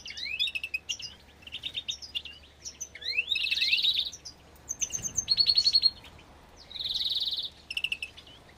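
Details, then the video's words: Agate European greenfinches breeding in an aviary in 2024 give a busy twittering song: rapid chirps, upward-sweeping notes, dry trills and long wheezy buzzing phrases, all delivered in quick succession. "evolución del nido de verderones ágata"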